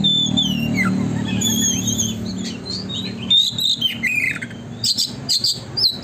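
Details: Kacer, the Oriental magpie-robin, singing energetic 'gacor konslet' song as a tail-opening lure: a low steady hum at first, then bright rising and falling whistles and short chattering bursts toward the end.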